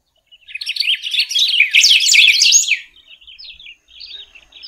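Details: Golden-billed saltator song, local names pepitero and picahueso: a fast, varied, chattering warble building over two seconds, then softer broken phrases of quick notes.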